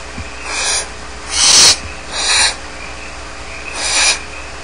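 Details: Begging barn owl chicks, alone at their Starr Ranch nest, produce four breathy wheezing hisses of varying loudness, the second the strongest, at irregular intervals.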